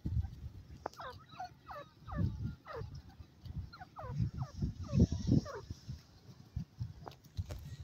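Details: Young grey francolins giving series of quick, descending chirps in short bursts of three to five, with dull thumps and low background rumble.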